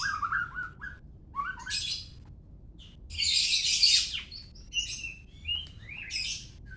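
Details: Murai batu, the white-rumped shama, from Medan, Indonesia: varied song opening with low mellow whistles, then loud, dense scratchy bursts and rising whistled notes, delivered in short phrases separated by short gaps.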